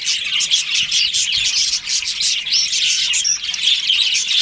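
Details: Breeding-season budgie colony, a busy chorus of sharp high chirps and short squeaky notes, thick and continuous, from numerous birds.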